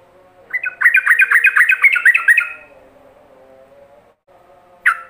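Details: Yellow-vented bulbul (Pycnonotus goiavier) rapid song used to train other bulbuls: a fast, bubbling run of chirpy notes for about two seconds over a low hum, then one more sharp note.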